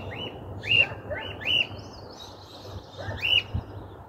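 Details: Free-flying cockatiel, thought to have escaped, perched on a house rooftop in a region where the species is not usually seen, 2023; loud rising whistled calls repeated about every half to one second, with faint higher bird notes behind.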